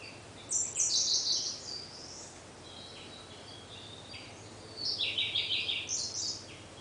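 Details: Siberian blue robin singing from a dark thicket, Munakata, Japan, May 2013: two bursts of rapid, high, dense trilled notes a few seconds apart, with quiet between them.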